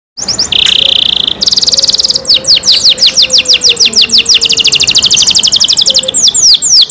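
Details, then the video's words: Canary kept in care singing loudly: a buzzy high trill, then rapid series of repeated descending whistled sweeps, several per second, with brief rolling phrases. "canary Nice sound"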